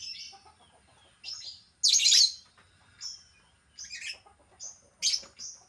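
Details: Pet albino lovebird uttering sharp, raspy high-pitched chirps and squeaks at irregular intervals, one harsh burst louder than the rest, quiet hum underneath.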